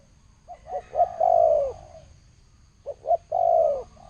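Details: Spotted dove in thổ sấm style, two phrases of quick rising stutter notes leading into a long mellow descending coo, clear and close with little background sound.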